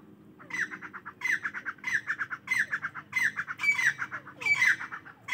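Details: Partridges in the morning give rhythmic, harsh chattering phrases. Each phrase starts with a squeaky accented note and is followed by quick clipped notes, repeating about once a second, with faint calls behind.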